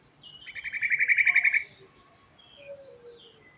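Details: Yellow-vented bulbul (trucukan) singing in the rolling 'ngerol' style, a rich, prolific song: a fast chattering trill of about twenty notes over a second, then softer scattered whistled phrases.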